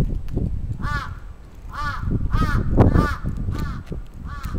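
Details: Attacking crow recorded 27 June 2017 in Atsubetsu Ward, Sapporo, Japan: about six rasping caws spaced roughly every 0.7 seconds over constant low-pitched rumble.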